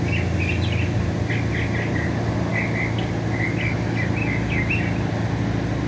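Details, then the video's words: Northern mockingbird singing in America, giving a run of varied short chirps and whistled phrases, each changing in pitch, over a steady low rumble of traffic. "Bird Making beautiful Sounds, in America, Mockingbird"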